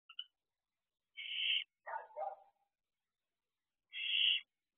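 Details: Barn owl owlet at the nest box door late at night, 31 May 2023, swaying in the entrance and spending time outside the box. It gives harsh, hissing screeches of about half a second, with a lower rasping burst between them and silent gaps.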